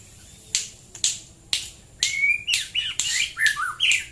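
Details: White-rumped shama singing in the morning at Prambanan, Klaten, Central Java: three sharp dry clicks about half a second apart, then a run of short whistled notes, one a long rising slur, with a faint hum behind.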